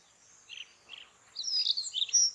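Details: White-tailed stonechat in the evening on the Padma/Ganges char lands: two soft scratchy notes, then a quick, high, chattering run of twittered notes ending in a thin whistle, against a steady high hum.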